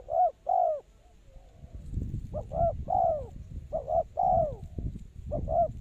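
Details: Lure spotted dove in a trapping setting, its soft rhythmic coos coming in quick runs of short double notes and longer falling coos, over a murmur of low background noise.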